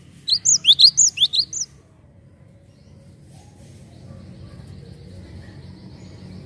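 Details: Lure call of a Java sparrow, played to prompt untrained birds: a short burst of about seven quick, bright, upward-sweeping chirps, followed by several seconds of near silence with faint distant chirping.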